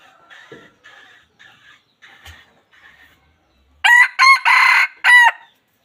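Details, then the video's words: Wild junglefowl: a row of soft, buzzy short calls repeated about every half second, then a sudden loud crow in four strong harmonic pulses near the end. "suab qaib qus qua zoo tiag2 li.Dib qaib tuaj zoo heev"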